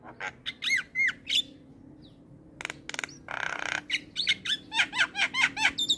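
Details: Javan myna (jalak kebo) singing with looping whistled notes and harsh squawks, a burst of broad noisy rasp in the middle, then quick repeated rising whistles.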